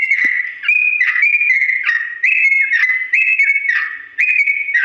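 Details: Sooty-headed bulbul in a long ropel song sung slowly, a recording for teaching birds to imitate: bright whistles alternate between a higher and a lower note in short, evenly paced phrases, with one faint click at the start.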